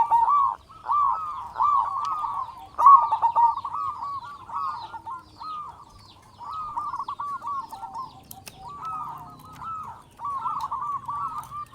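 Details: Local zebra dove, a strong-voiced, often-singing bird used as a lure for other zebra doves: long runs of rolling, warbling coos in a steady mid pitch, with a quieter patch midway and faint low rumble.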